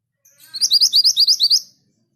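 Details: Orange minivet delivering a clean, even series of about nine high, sweet, upslurred whistles at a steady quick pace in otherwise quiet surroundings.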